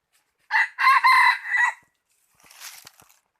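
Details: Rooster crowing, recorded 16 January 2020: one hoarse, harmonic-rich cock-a-doodle-doo about a second and a half long in several joined syllables. A faint, scratchy rustle follows after a short gap.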